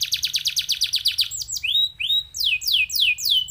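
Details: Canary in song meant to stimulate other canaries: a rapid stuttering run of high notes gives way to slower, clear falling whistles spaced about half a second apart.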